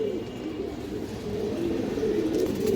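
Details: Domestic fancy pigeons in a sales loft in Jatrabari; soft, low rolling coos swell toward the end, several birds overlapping in a steady murmur.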